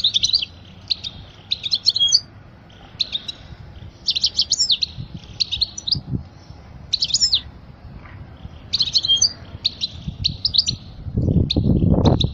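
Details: European goldfinch delivering song for teaching young birds: short, tinkling twittered phrases repeated roughly every second or two, with a low rumble near the end.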